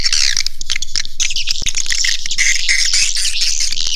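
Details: Swiftlet caller sound used to attract swiftlets: dense, continuous chatter of rapid buzzy twittering and short high clicks, about four bursts a second, with a low steady hum underneath.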